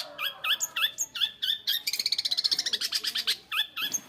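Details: Long-tailed shrike kept at home, singing loud upslurred whistled notes in a short series, then a rapid buzzy rattle of about twenty pulses, ending with more whistles.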